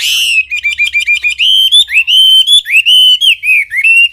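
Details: Loud, clear wambi song: a rush of short rising notes giving way to longer, pure whistled phrases that swell and fall, each repeated in quick succession.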